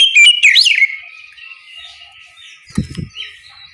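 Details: Oriental magpie-robin singing in the ngeplong manner one morning to prompt answering birds: under a second of fast, sliding whistles opens, then fading quiet with a brief low thump near the end.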